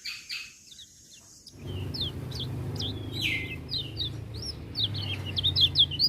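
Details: Lemon-bellied white-eye in lively song, with other birds joining in. After a short pause come quick high chirps and down-slurred whistles over a steady low rumble.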